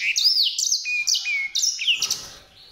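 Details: White-rumped seedeater singing a short, bright phrase of high sliding whistles, rising and falling notes strung quickly together, ending in a brief scratchy rustle.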